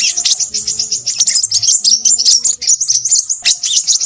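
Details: Crimson sunbird, a nectar-eating bird of scrub, plantations and forest, in an energetic, noisy song: dense, very high twittering and rapid chattering trills running almost without pause, with faint low tones underneath.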